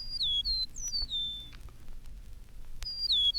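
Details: Eastern Meadowlark singing high, clear whistles from a telegraph pole. Slurred notes glide downward in a phrase of several whistles, followed by a pause, then the same whistles begin again. Faint hiss in the background.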